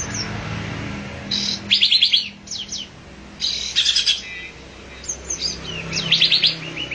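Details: Olive-winged bulbul giving quick bursts of bright, bubbly chirping notes in short clusters every second or so, over a faint low hum.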